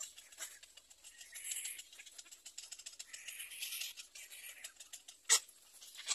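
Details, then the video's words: Nestling little egret, nest 3: soft dry ticking runs with two hoarse rasping squawk bursts, then a single sharp loud click near the end. "Baby bird little egre (nest 3)"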